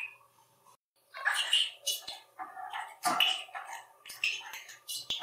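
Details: Indoor pet budgerigar chattering Hungarian words to himself and to the family: hoarse, rapid, raspy syllables in continuous bursts with small clicks.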